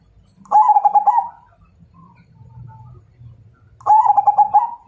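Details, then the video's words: Zebra dove, Majapahit strain, challenging to fight: two stuttering coo phrases about three seconds apart, each a fast run of mellow notes ending in a longer coo, with a low hum in between. "Suara Perkutut MAJAPAHIT Ngajak Tarung"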